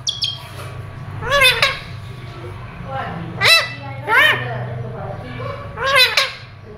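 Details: Talking rose-ringed parakeet repeating Urdu/Hindi words, "Mian Mitthu chori khani ha": about five short, nasal, strongly harmonic syllables in bursts a second or so apart. Faint room hum runs underneath.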